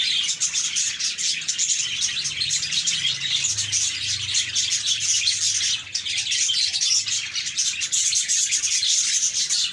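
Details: Steady, busy budgerigar chirping, with overlapping shrill tweets and scratchy warbles that run almost nonstop, a brief dip near six seconds and a faint low hum beneath.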